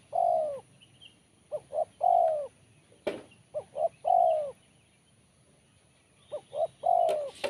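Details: Spotted dove with a crisp, sharp voice sings 'kuk 1' phrases: each two short notes and a long descending coo, three phrases in all, with a sharp click between them.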